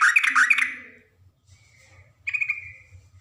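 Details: Yellow-vented bulbul female calling for a male. A harsh, loud burst of chattering notes is followed by a short drawn-out note and then a brighter burst, over a low steady hum.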